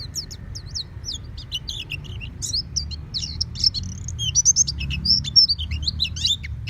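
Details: Oriental white-eye kept indoors, singing ngeplong style: jumbled, high, fast chirps and twittered slurs, irregularly spaced, over noticeable low background noise.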